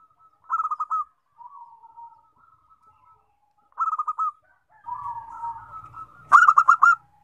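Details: Zebra dove song that sets other zebra doves singing: short bursts of rapid, clipped cooing notes, each burst under a second, separated by softer drawn-out coos, with overlapping calls and a sharp click near the end.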